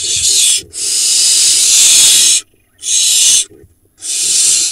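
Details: Barn owl nestlings, four remaining from a late-laying pair, in a nest in Israel's Hula Valley on 30 June 2021, with a pigeon nearby. They give loud, harsh, hissing snore-like bursts: one long rasp about two seconds, then shorter bursts separated by silent pauses.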